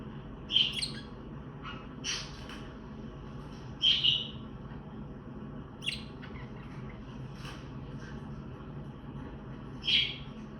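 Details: Chirping contact calls of a budgerigar calling for flock mates out of sight. Brief high chirps come at irregular intervals with faint clicks between them, over a steady low hum.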